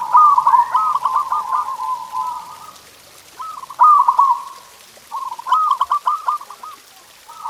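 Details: Zebra dove song used as a tutor recording to stimulate pet doves to sing: rapid, bubbling trilled cooing phrases around a steady mid pitch, three phrases separated by short pauses.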